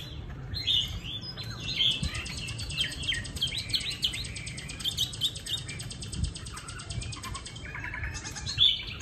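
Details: Caged Chinese hwamei in Hanoi, Vietnam, singing a run of loud, high chirps and whistles with a buzzy, rattling band sustained above them for several seconds.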